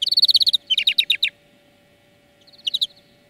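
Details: Fast twittering from a European greenfinch song lesson for training birds, quick runs of bright chirping notes, a pause, then a short trill, with no other sounds.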